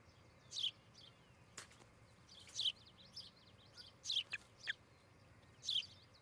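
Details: Osprey at a nest near Charlo, Montana, caught by a nest camera on a July 14, 2018 morning; short high chirps rise and fall, spaced about every one and a half seconds, over quiet background hiss.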